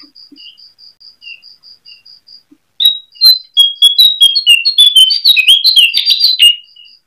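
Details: Brown cincoang (jongkangan) singing at night, used as a lure to make other birds sing and come into breeding mood: soft steady cricket-like ticking, then a fast burst of loud whistled, warbling notes sliding between mid and high pitch.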